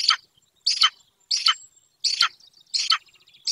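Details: At a Golden eagle nest far from people in Bucovina, where a pair raises its young, a webcam picks up six loud, buzzy chirps spaced about 0.7 seconds apart, and faint twittering from small birds.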